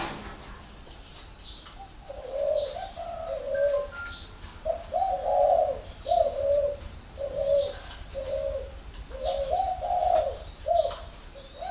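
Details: Captive spotted dove from a farm in Ba Vì, Hanoi, northern Vietnam, cooing repeatedly in rhythmic bursts of deep, muffled notes about every second or two, with a steady high whine and faint clicks behind.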